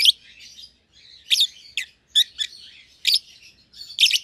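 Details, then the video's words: Caged young lovebird pair, euwing green opaline and albino, chirping: loud piercing bursts at uneven intervals with quieter raspy twitters in between, indoors and otherwise quiet. "Lovebird Chirping Sounds"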